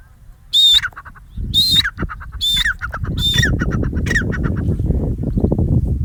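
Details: A pheasant gives five loud, harsh, metallic calls about once a second as it takes flight, each trailed by quick clattering notes, over a rising rush of whirring wings and wind.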